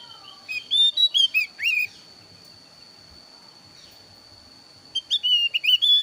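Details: Javan grey-throated white-eye of the thin-eyebrow type, a varied lure recording used to draw birds for trapping and to coax them to sing: clear whistled notes, some sliding down, in two quick bursts separated by a long pause.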